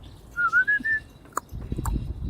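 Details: A one-year-old male cockatiel, hatched at home, sitting in an outdoor aviary amid rush-hour traffic noise, whistles a short tune of four clear, pure notes, the first dipping and the rest level, then a few clicks and rustling.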